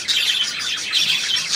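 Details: Budgerigars chattering together: a dense, continuous warble of scratchy, twittering high notes with short chirps layered over one another, with no pauses.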